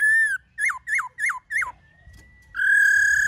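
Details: Black-throated laughingthrush in forest-voice song: a held whistle, four quick repeated notes that swoop down and back up, a thin drawn-out tone, then a long loud whistle rich in overtones.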